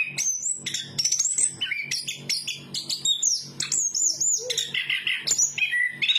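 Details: Anis kembang, or chestnut-capped thrush, sings loud looping whistles that waver up and down, broken by short chirps and a low buzzy phrase near the end. A steady hum sits beneath.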